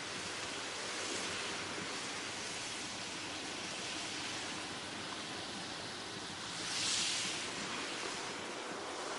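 Steady broadband rushing of surf or wind with a brief swell of hiss near the end; no animal calls.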